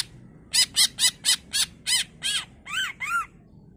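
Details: Greater green leafbird delivering part of its varied repertoire, used as a lure for other leafbirds: a run of nine harsh, rasping squawks, the last few lower and more arched, over faint background noise.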